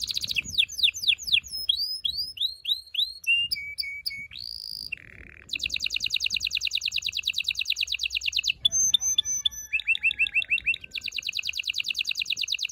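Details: Loud canary singing meant to prepare female and male canaries for mating, a continuous sequence of sweeping downslurred notes, steady flat whistles, a low rolling tour and long rapid trills of repeated notes.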